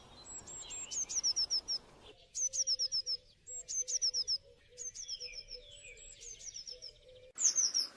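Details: Eurasian blue tit (Cyanistes caeruleus), song.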